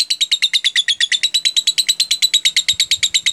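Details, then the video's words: Lovebird singing 'jeda rapat', the close-gap style this lure recording aims to teach: tight, regular chirps about eight per second, high and bright, with faint low thumps near the end. "pancingan LOVEBIRD jeda rapat"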